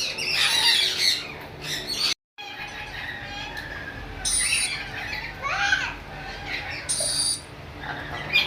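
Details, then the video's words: Lory parrot making scattered harsh squawks and a few shrill, whistled notes, quieter and more broken than a steady call, with a short dropout early on. "lory parrot"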